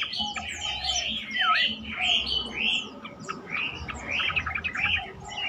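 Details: Lure song of the yellow-vented bulbul, meant to prompt other bulbuls to reply and sing: loud, liquid, slurred whistles rising and falling, delivered in rapid bursts with short buzzy chirps between.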